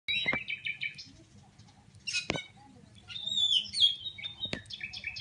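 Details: Oriental magpie-robin from Pidie, Aceh, singing in search of a rival to compete with: high chirps and rapid trills, a sharp whistled note around the middle, sparse phrases separated by pauses, low hum beneath.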